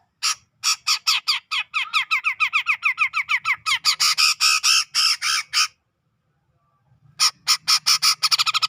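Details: Ngepik-style chatter of a grey-cheeked bulbul from Sumatra's tropical forest near Medan, for tutoring cage birds: a long run of scratchy, downslurred notes growing harsher and denser, a pause of over a second, then a renewed burst of rapid rasping notes.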